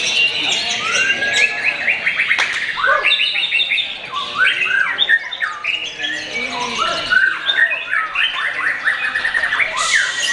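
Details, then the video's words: Young murai, not yet a champion but already showing style, singing a loud, rich, varied song of rapid whistled trills, chattering bursts and sweeping notes, repeated phrases running continuously with barely a pause and no other clear sounds. "ngabuburit bareng Murai Muda"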